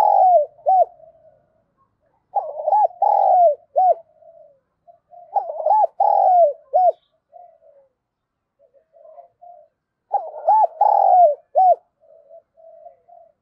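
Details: Spotted dove used as a lure bird to provoke other doves, in the fast-calling Vietnamese "thổ sấm" style: mellow cooing phrases of several quick notes ending in a long drawn coo, repeated about every four seconds with soft pauses between.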